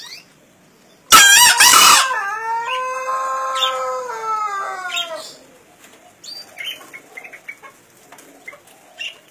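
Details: Wild-caught green junglefowl, one and a half years old, from Kediri, East Java, entered in a crowing contest: a burst of wing flapping, then a loud harmonic crow that starts high and settles into a long, slightly falling note lasting about four seconds.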